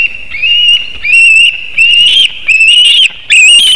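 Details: White-tailed eagle at a nest webcam in Latvia, 17 August 2018 at 7:06 am, screaming as a fish is delivered: a series of shrill, harmonic, slightly rising squeals, one burst about every second, with short quiet gaps between.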